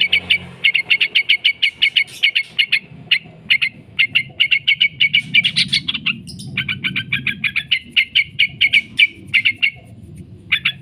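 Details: Yellow-vented bulbul giving long, persistent 'ngekek' chattering meant to make other bulbuls answer: a near-continuous stream of rapid, sharp, high notes with short breaks, over a soft low rumble.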